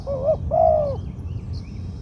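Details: Medium-voiced spotted dove, a prospective ground decoy, delivering one two-part phrase: a short hooked coo followed by a longer, smooth, falling 'koo-ang', then quiet apart from low background hum.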